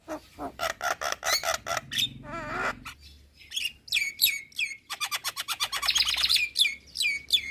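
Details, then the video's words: Asian pied starling (jalak kebo) singing vigorously to provoke neighbouring starlings: rhythmic chattering notes, a wavering gurgle, then rapid clicks and whistled slurs with a brief buzzy rattle. "Burung Jalak Kebo Gacor Parah Bikin Emosi Jalak Tetangga"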